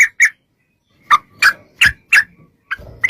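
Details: Yellow-vented bulbul recorded as a lure to draw singing replies from other bulbuls: a few scattered sharp, slightly rising chirps with short gaps between them and faint rustling underneath.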